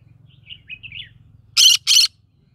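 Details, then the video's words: Green-cheeked conure living amid a rice field: soft, faint twittering chirps, then two loud, harsh, rasping squawks in quick succession, each about a quarter-second long, over a low background hum. "Green cheek conure singing"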